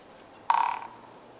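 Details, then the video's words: A Japanese pygmy woodpecker, filmed nearby on 8 March 2014, drums at a somewhat slow speed: a sharp opening knock leads into a short, decaying rattle of rapid taps, with calm background. "コゲラ"Dendrocopos kizuki"の鳴き声（ドラミング）"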